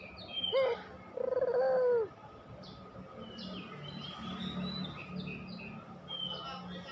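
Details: Spotted dove, puter pelung type, lure for getting doves to sing: a short hooked coo then a longer level coo, followed by several seconds of mixed high chirping from other birds and low background hum.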